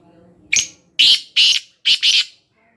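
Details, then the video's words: Black francolin from Khushab calling: a short set of harsh, loud bursts, four to five quick notes within about two seconds, with faint low background hum. "kala teeter ki awaz"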